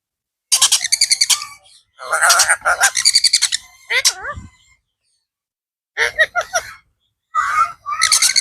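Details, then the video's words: Talking blue ringneck parrot calling out: loud rasping, pulsed squawk bursts alternating with wavering speech-like syllables, several phrases separated by short gaps of silence. "talking blue parrot | funny parrot Calling Mithu Mithu | parrot natural sound & talking"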